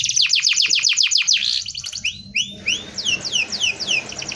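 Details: Canary in dense rolling song for tutoring. Fast repeated downward-sliding notes run together into a trill, then a pause, then a slower series of separate rising-and-falling whistled sweeps.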